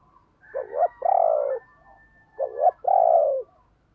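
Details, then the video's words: Decoy spotted dove, kept to provoke other doves into cooing, gives two hoarse cooing phrases about two seconds apart, each a short wavering note followed by a longer, steadier, drawn-out coo; a quiet room with no other sounds. "Tiếng Chim Cu Mồi dùng Kích Bổi Hiệu Quả Mở Là Gáy"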